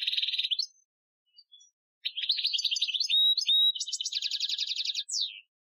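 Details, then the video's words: European goldfinch, Algerian song for training, 2015: a buzzy trill, a pause with faint notes, then mixed twitters, a clear whistled note and a long rapid trill ending in a downward slur. "Chardonneret Chant Algerien 2015 , chant de dressage"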